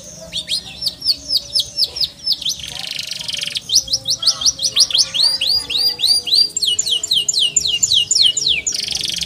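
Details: Canary repeating crisp descending whistled notes in steady series, with a short harsh noisy patch between phrases, then a dense run of rapid falling slurs.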